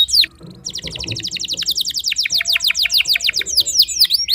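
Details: Timbrado canary singing during early morning training: a long fast chattering trill of steeply descending notes repeated several per second, turning to broader sweeping notes at the end; faint low background noise.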